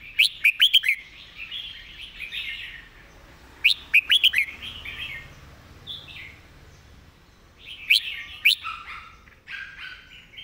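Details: Clear master song of a red-whiskered bulbul, meant for training other birds: quick bubbly whistled phrases opening the recording, another burst near 4 seconds, then softer warbles and a final rich phrase around 8 seconds.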